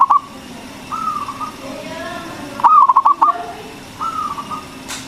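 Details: Local zebra dove in full voice, used to lure and excite other doves. Level whistled notes come on either side of a single fast, stuttering series of five or six cooing pulses.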